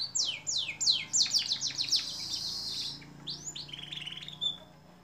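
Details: Canary singing in a long training recording for songbirds: a quick burst of descending whistled notes running into a dense buzzy trill, followed by softer rising chirps and a short warbled phrase.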